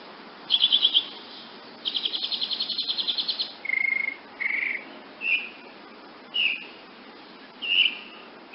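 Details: Woodnymph hummingbird with varied calls: a fast, high, buzzy rattle, a longer trill, then separate whistled and slurred high notes, each about a second apart.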